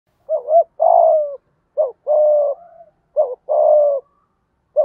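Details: Spotted dove cooing, used to get other doves cooing quickly: three two-part phrases, each a short wavering double note then a longer, steady, slightly falling coo, repeated about every 1.4 seconds in quiet surroundings.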